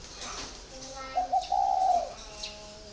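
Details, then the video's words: Caged spotted dove of four years, 'còi' style: two short hooting notes run into one sustained, hollow, gently falling coo, with faint chirps and background clicks. "còi 4 năm lồng"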